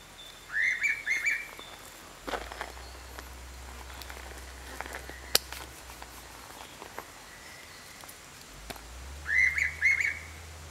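Rainbow pitta giving loud, clear two-note whistles in a pair of quick bursts.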